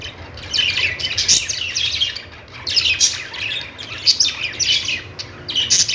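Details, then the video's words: Budgies chirping in lively clusters of quick, high twittering notes, rising and falling in intensity, with a brief lull midway before the chatter resumes. "Budgies singing |budgies sounds"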